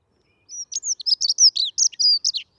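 Dunnock song: a fast, hurried warble of high, squeaky notes tumbling together for about two seconds, with no other sounds.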